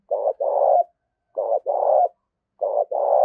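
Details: Decoy spotted dove in the Đồng Nai countryside of Vietnam, cooing to lure wild doves: a short note paired with a longer throaty coo, repeated three times at roughly one-second intervals.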